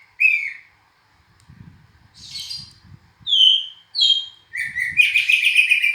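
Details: Kacer, the oriental magpie-robin, singing clear separate whistles, a rising note, two pure downslurred tones, then a dense rich warble at the end, with soft low thumps in the background.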